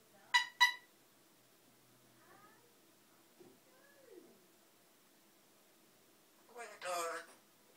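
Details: African grey parrot, described as noisy, giving two sharp harmonic squawks at the start, then soft whistled rising and falling notes, and a long harsh grating screech near the end, in a quiet room.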